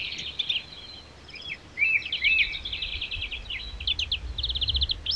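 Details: European greenfinch singing in the wild: a fast, twittering run of chirps and rolling trills, ending on a rising wheezy note, over a faint low rumble.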